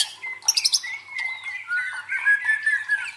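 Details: White-rumped shama song used to train fighter birds: a short harsh buzzy burst followed by sustained clear whistled notes and warbling phrases at steady pitch.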